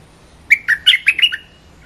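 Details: Olive-winged bulbul (Pycnonotus plumosus) lure song: one brief, bubbly phrase of about six quick, chortling notes rising and falling at a fairly high pitch, over a quiet background.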